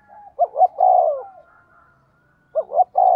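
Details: Spotted dove acting as a lure for wild birds gives a soft lead-in note, then two short hoots and a long mellow coo, starting the phrase again at the end; a faint thin tone runs above.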